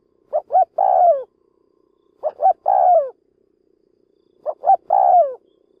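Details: Decoy spotted dove calling 'lụp' to lure wild doves: three phrases of two quick hooted notes followed by a sliding, downward coo, about two seconds apart, with faint background hum.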